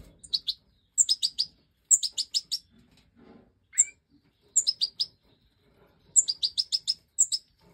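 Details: Five captive Major European goldfinch chicks, bred in a 2024 aviary, begging as the hen feeds them after leaving the nest: clusters of three to six sharp, very high chirps, repeated about once a second, with one lower rising note.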